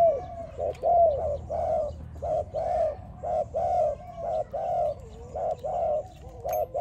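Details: Spotted dove singing, used for training: soft, hollow coos delivered in quick succession, roughly one per second, some notes bending downward at the end, over a quiet low rumble.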